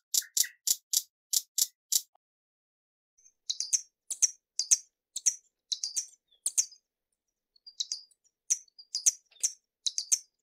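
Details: Hummingbird calling. Opens with a fast run of bright, very high ticking notes. After a pause comes a long bout of thin, squeaky chitters in short clusters, with scattered gaps. High-pitched throughout, with no other sounds.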